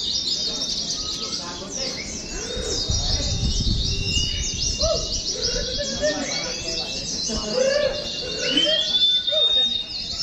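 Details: Several caged Oriental white-eyes at a training gathering for song contests chatter in continuous high twitters, with thin long whistles rising near the end and low rumbling background noise.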